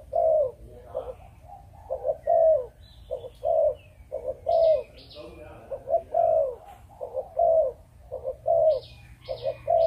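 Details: Spotted dove of Malaysian breeding stock repeating its chụp chụp ô call: rhythmic low coos, brief paired notes then drawn-out falling ones, with faint voices and thin high chirps from other small birds in the background.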